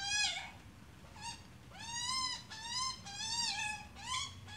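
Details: Australian magpie, adult with chick: loud, broad harmonic calls, some short and arched, others long and flat, given in close succession with brief quieter gaps.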